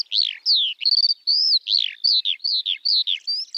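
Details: Skylark (Alauda arvensis) song of clear, high whistles, several sweeping downward, mixed with short buzzy trills and chirps in a lively, even flow, recorded cleanly without other noise.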